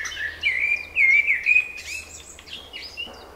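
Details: Spring birdsong: a bright warbling run of clear whistled notes that slide up and down, with fainter chirps from other birds behind it and a low steady hum underneath.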